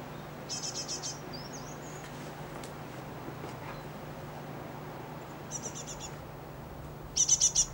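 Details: Great tit in a residential garden in spring, gathering food for its young; three separate bursts of rapid, very high, thin ticking notes, each about half a second long, with quiet gaps between them.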